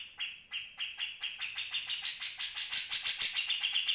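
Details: Grey-cheeked Bulbul recorded in 2020 for use as a tutor recording for other birds, giving a fast chattering series of harsh chirps, about three per second, growing louder and higher toward the end.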